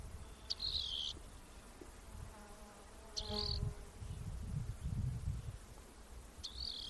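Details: Rock wren (Salpinctes obsoletus) gives three high, buzzy calls, each a sharp tick running into a dry trill, spaced about three seconds apart over low wind rumble.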